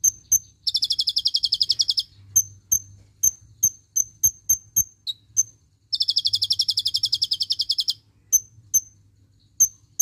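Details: Kolibri ninja tutor recording with cililin-style shots: two long rapid buzzy high trills, each about one to two seconds, separated by a run of sharp, evenly spaced thin chips at a steady pace.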